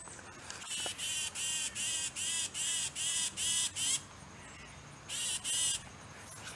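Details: A Tufted Titmouse gives harsh, raspy scolding notes, eight in a quick even series at about two or three per second, a pause, then two more; the observer thinks it is an alarm call.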